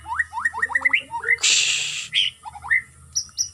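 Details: White-rumped shama trained with routine aviary flying for stamina gives a quick series of upslurred whistles, interrupted by a loud rushing hiss, then a few more rising notes and high chirps.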